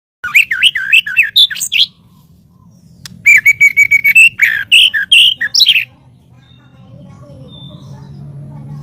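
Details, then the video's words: White-rumped shama song used as master audio for training birds: quick varied whistled phrases, a pause, then a rapid burst of sharp notes and steady whistles, ending in quiet with a low background hum. "SUARA BURUNG MURAIBATU || MASTER4N MURAIBATU"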